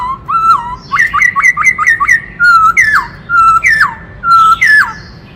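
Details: A black-throated laughingthrush delivers a rich, many-voiced song: a quick run of rising whistled notes, then longer level fluting whistles, each ending in a sharp upward or downward flick, about one per second.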